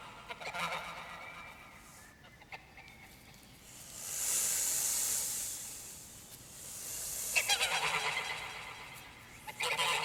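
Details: Canada geese along Canadian rivers give loud, nasal honks at irregular intervals, honking that coordinates flocks, with two longer stretches of hissing, rushing noise between them.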